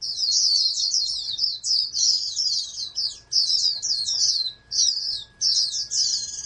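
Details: Captive oriental white-eye bred for contests, tipped as a national champion, sings sharp, high, rapidly repeated chirruping phrases broken by short breaks near three, four and a half and five and a half seconds; soft steady hum present.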